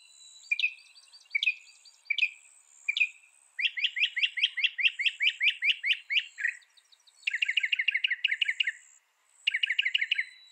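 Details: Mockingbird song: a few sharp single notes, then a long fast series of repeated downslurred notes, followed by quick trilled bursts, while insects hum steadily in the background.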